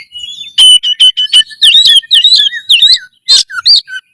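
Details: Oriental magpie-robin, known locally as kacer, belting out a loud song to raise breeding drive and fighting spirit; a quick series of clipped whistles gives way to looping slurred phrases and sharp upswept notes.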